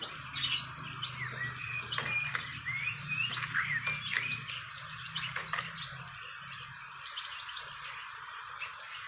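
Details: A fantail at its nest in the wild in Indonesia gives quick, high, squeaky chips and short twittering notes in irregular bursts, over a steady insect drone and a faint low hum.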